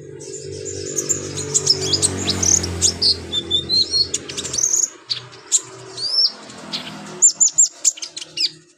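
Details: Brown-throated Sunbird in full, lively song, a showcase of mimicked phrases used to tutor other birds. Quick, very high twittering notes and short rising whistles are delivered in dense bursts over a low background rumble.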